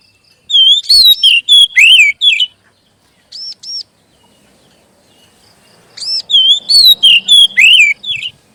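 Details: Magpie robin, known locally as kacer, singing a lure song for settled adults and young birds: two bursts of loud, varied whistled phrases with downslurs, separated by a pair of high arched notes and a faint rustling background.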